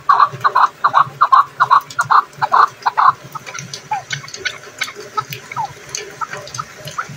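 A chukar gives a fast run of harsh clucking notes, about eight in three seconds, then fades into softer scattered calls over a faint watery background.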